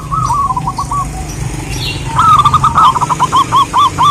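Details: Zebra dove, a female calling to a male: faint quick coo notes, then a louder rolling burst followed by evenly spaced hooked notes about two per second, over low background hum.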